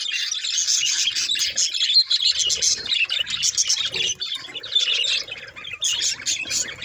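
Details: Budgerigars warbling and chirping nonstop, quick scratchy notes and brief squawks tumbling together in an uneven chattering stream.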